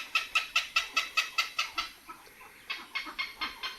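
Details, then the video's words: Heron in the Philippines giving what is described as a mating call: a fast series of dry, clucking notes, two to three per second, with a short pause before the run picks up again; a dog reacts to the sound. "Why is this heron making this sound?"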